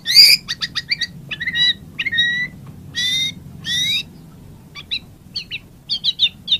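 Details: White-rumped shama giving scattered short phrases: harsh buzzy bursts, thin whistled notes and brief chips separated by pauses, over a low steady hum.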